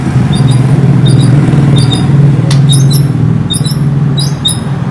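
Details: White-rumped shama song: short, high, squeaky chirps in tight clusters, bursts coming roughly every half second, set against a steady loud low hum like a running engine.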